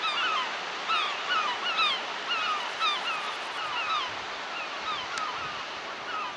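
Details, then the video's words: Screaming gulls on a broad French beach with white cliffs, 2007: bursts of harsh, falling yelps, busiest in the first half and then thinning, set against continuous surf noise. "screaming gulls"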